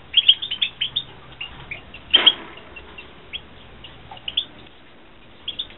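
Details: Captive European goldfinches at a 2016 breeding setup. Bright, quick chirps come in loose clusters, and a brief fluttering of wings is heard mid-clip.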